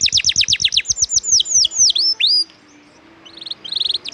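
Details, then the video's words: Canary song for training champion birds: a quick series of sharp notes slowing into broad swooping whistles, then a brief pause before soft high trills resume. "Masteran burung kenari isian ngejos..pedas"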